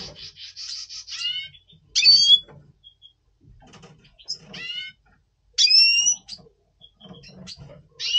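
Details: November 2023 recording of a double pastel red siskin in breeding mood before breeding: a rapid buzzy trill with down-slurred notes, several loud sharp calls, and quieter chattering between them.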